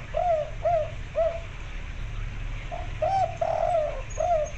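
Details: Female zebra dove, local white-barred type, calling a male to mate: soft looping coos near 600, three in quick succession, a pause, then three more, over steady low-pitched background noise.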